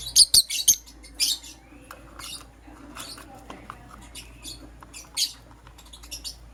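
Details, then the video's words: Lovebirds, a green personata and a yellow pastel pied, in the morning: a quick run of piercing, high chirps at the start, then softer scattered squeaks and faint scratchy notes. "Lovebird Chirping Sounds"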